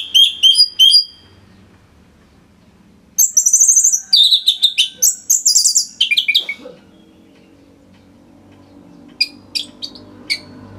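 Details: Orange-headed thrush in energetic dense song. Fast repeated high chirps open it, then a long, rapid stream of varied whistles and trills. After a pause, softer scattered chips follow. The recording is for training other songbirds.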